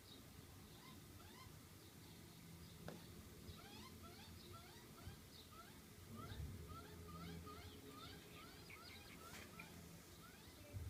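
A magpie gives thin, rising peeps like a chick's, repeated rapidly about twice a second over a low, steady rumble of background noise.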